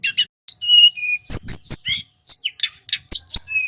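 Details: Male Sunda whistling thrush, a local Merapi bird, in full song. Short chirps lead into level whistled notes, followed by fast swooping upslurred and downslurred whistles mixed with sharp clicks.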